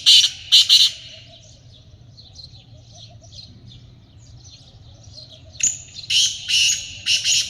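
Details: Black francolin, the kaale teetar, calling; loud harsh grating bursts repeated in quick groups at the start and end, with faint chirping from other birds between.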